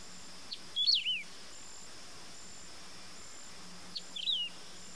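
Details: Wedge-tailed grass-finch, known in Brazil as canário-do-campo, giving two brief high whistled phrases, each a quick rising slur followed by descending twisting notes, about three seconds apart, with a steady insect buzz and faint low hum behind.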